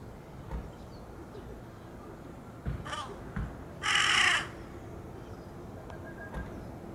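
A young large-billed crow gives one loud, harsh, drawn-out caw lasting about half a second, with a fainter rasp just before it; otherwise quiet background.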